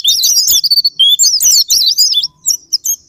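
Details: Japanese white-eye lure song to provoke singing: short bursts of high, squeaky, zigzagging twitters separated by brief pauses, ending in a few sparse thin notes.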